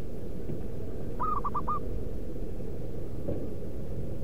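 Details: Wild local zebra dove cooing as a lure for other doves: a single short phrase of four soft, even, hooting notes near the middle of the clip, over a steady low rumble of background noise.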